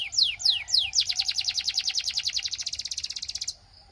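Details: Belgian canary song, played so other canaries sing: three slow falling whistles, then a rapid, even buzzy trill lasting over two seconds before stopping abruptly.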